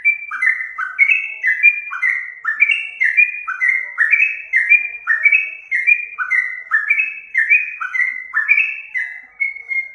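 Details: Lure recording of a sooty-headed bulbul, ten seconds of steady bubbling whistles, each phrase a high note dropping to a lower one, nearly two per second.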